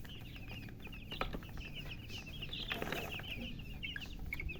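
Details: Several newly hatched chicks calling loudly, a near-continuous stream of high, short, descending peeps, with a few broader bursts of noise and a steady low background hum.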